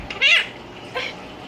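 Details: Monk parakeet (Quaker parrot), 5 months old, a fast learner that repeats everything, gives two short, high, nasal word-like phrases of mimicked speech, calling for the dog.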